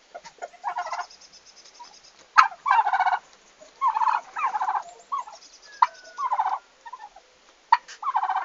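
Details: Turkeys on the day they came to the farm, 11 August 2015, producing a series of bubbling gobble bursts about a second long, separated by pauses and occasional sharp clicks.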